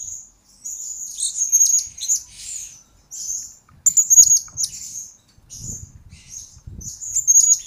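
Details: Blue-crowned hanging parrot singing for a lure and training master recording: sustained thin high whistles broken by squeaky chirp bursts, with faint low knocking sounds in the background.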